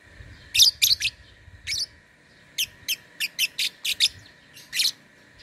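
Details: Lovebird entered in an online singing contest from Singkawang, West Kalimantan: sharp, bright chirps in quick bursts, a few close pairs and then a spaced run of about ten notes, over a steady electrical hum and low rumble at first.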